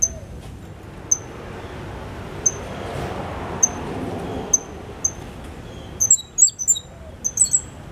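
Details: Captive-bred young Cuban grassquit, five months old, singing a loud, clear 'silva australiano' style song with a trill learned from a 'silva cristina' tutor. Single high, thin chirps land about once a second, then quick clusters of sharp, very high notes close the passage.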